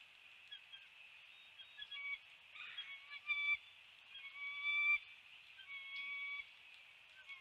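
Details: Bald eagle at a nest at 7:04 am on 29 February 2020, as a still-alive fish is brought in. Thin, high squeaky notes and short chitters come irregularly over a steady hiss.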